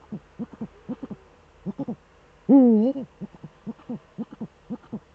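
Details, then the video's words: Eurasian eagle-owl pair duetting, male at the nest, Eifel, 13 December 2013, 17:25. Many short, low, soft notes in irregular runs, broken midway by one loud, deep, wavering hoot. "Uhu-Duett, Männchen am Horst"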